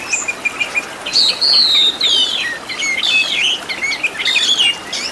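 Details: Oriental magpie-robin master song full of filler phrases, used to train caged birds. Loud, continuous warbling mixes long sliding whistles, buzzy slurs and rapid chirps, phrase after phrase with almost no gaps.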